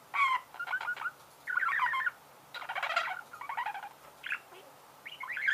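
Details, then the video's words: Chirping budgerigar giving harsh, buzzy chattering bursts of half a second to one second each, separated by short silent gaps, with grating, crackly texture throughout. "Чирикает волнистый попугай"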